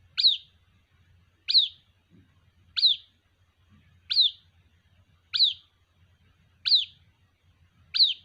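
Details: Seven evenly spaced, high-pitched falling peeps from a white-breasted waterhen chick calling its mother, about 1.3 seconds apart, with a faint low background rumble.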